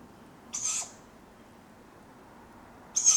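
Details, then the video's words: Tawny Owl owlets begging at dawn in July in the Padarn Park woodlands: one wheezy, scratchy screech, a pause of over two seconds, then the start of another. "Sound of Tawny Owlets calling for food at dawn"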